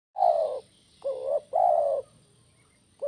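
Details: Spotted dove, tekukur song of the kuk 1 style, used to get other doves singing: loud hollow coos with a short rising note before longer falling coo phrases, repeated in a quick pattern.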